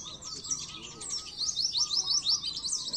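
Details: High, fast white-eye twittering from a 2023 pleci masteran recording, with strings of quick slurred notes that rise and fall, rapid repeated chirps toward the end, and a soft steady low hum beneath.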